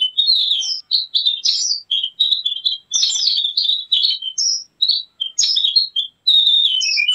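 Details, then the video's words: Javan grey-throated white-eye song meant for luring and tutoring birds, a lively high chatter of quick slurred whistles and chirps that runs almost without a break. "Suara pikat+master burung opior Jawa dijamin ampuh"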